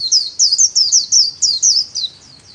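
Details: White-eye performing a solo líu-style song as a training bird: a rapid string of bright, high, down-slurred whistled phrases, about four per second, fading near the end over quiet background.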